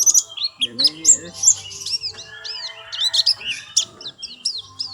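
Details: High, sweet chirps and looping twittered phrases from a white-eye, delivered in fast irregular bursts over a quiet background.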